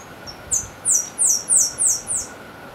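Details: Saffron-billed sparrow of Brazilian forest interior; a series of five very high, thin descending slurred notes, evenly spaced about every third of a second, over faint background hiss.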